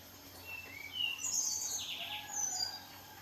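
A red siskin's high, twittering song of quick chips and buzzy, sliding trills, with a faint low background hum.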